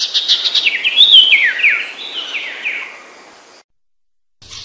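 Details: Common iora (cipoh) giving sertu-style song on a master recording: a rapid cascade of high twittering notes, each sliding downward, that fades out and then gives way to silence.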